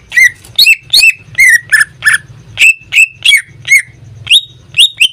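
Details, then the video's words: Caged pet greater green leafbird, a daily singer, utters evenly spaced loud whistled notes, each sliding down, over a soft low hum. "Suara cucak ijo suaranya tidak diragukan lagi"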